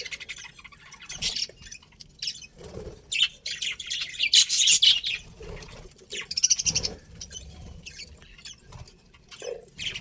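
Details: Budgies give bright, sharp chirps and scratchy twitters in quick uneven runs, with louder chattering bursts mid-way and a few soft low thumps.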